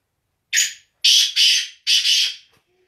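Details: Black francolin, known locally as kala teetar and also called sindhi teetar, giving loud harsh rasping notes: a single grating note, then two double-note bursts in quick succession within about two seconds, with no other sounds.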